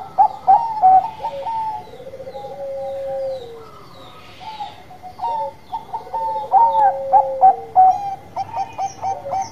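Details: Zebra doves of the Bangkok type singing vigorously, loud clipped coos in quick runs giving way to long soft rolling coos that slide downward, several birds overlapping, light chirps high above.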